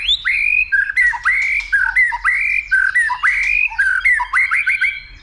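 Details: White-rumped shama stirred up to sing many voices and to fight, flicking its tail; rapid string of rich, looping whistled phrases with sharp upslurs and downslurs, repeated about twice per second without pause.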